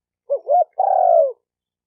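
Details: A spotted dove's phrase meant to stimulate decoy, male and female doves: two clipped rising notes, then a long, buzzy-edged coo that slowly drops in pitch, with nothing else audible.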